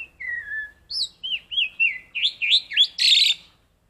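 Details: Black-collared starling learning red-whiskered bulbul phrases: a falling whistle, then about eight looping whistled notes, evenly spaced and rising in pitch, ending in a rough, noisy burst.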